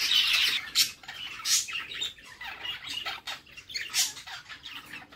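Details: In a nest box a mother budgerigar feeds her chicks; scratchy, hoarse squawks come in separate bursts about once a second, with quieter rasping between them.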